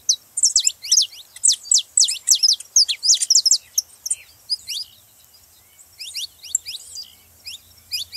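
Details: Saffron finch singing to stir other canaries into song: quick bursts of bright, steeply falling chip notes, loud at first, thinning into sparser sweeps after a short gap, then resuming in scattered chirps.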